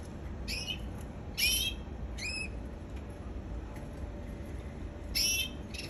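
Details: Canary singing: a few short bright twittering bursts of rapid rising and falling notes, spaced apart over a steady low background hum.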